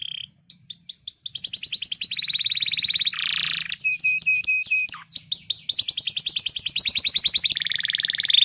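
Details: Domestic canary training song for young canaries and for canaries that have stopped singing: fast buzzy trills and rolling repeated upswept notes, a steady flat whistle near the middle, then long rapid rattling rolls, all high-pitched and continuous.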